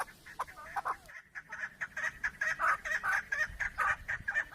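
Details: Chukar partridge giving a steady run of hoarse, clucking chuk notes, about two each second, each harsh and mid-pitched, with a brief gap near the start before the series builds and continues evenly.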